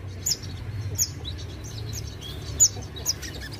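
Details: Sogon bird calling in full song to agitate rival sogon: sparse, sharp high-pitched chirps, each a quick slurred squeak, scattered across a few seconds over a low background hum.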